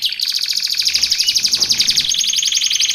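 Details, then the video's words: Canary song used for tutoring caged birds and luring wild ones: a dense, fast buzzy trill held high and steady, with rapid pulsing notes layered over it and no pause throughout. "Suara Kicauan Burung Kenari Menggila Untuk Masteran Dan Pikat"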